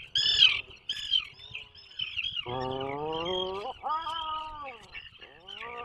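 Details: Atlantic puffins in a nesting burrow off the coast of Maine during the breeding season: harmonic, drawn-out groaning calls, one steady and then rising near its end, followed by a downward-curving call, over a constant high hiss.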